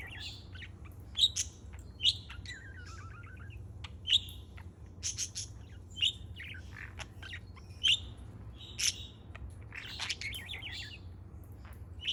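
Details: July 4 recording of a playing parrot: repeated loud sharp peeps about every second, interleaved with wavering descending warbles and quick chirps over a faint hum.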